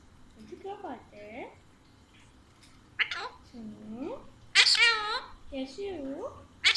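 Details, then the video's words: A playful, talkative pet Alexandrine parakeet talks in Urdu/Hindi: several short, rising, speech-like syllables with brief pauses, then a louder, harsher, burst of chatter. "Chatty Alexander Parrot Talking in Urdu/Hindi"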